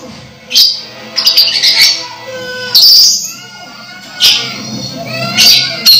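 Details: Orange-headed thrush close to moult, still vocal, giving scattered loud high squawky notes and short whistled phrases with pauses between them.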